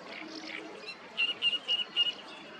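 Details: European goldfinch feeding on meadow goat's-beard seeds on a bank of the Nioman river in Hrodna, western Belarus, 13 June 2023: four short, thin, high whistled notes in quick succession after a faint, soft twitter.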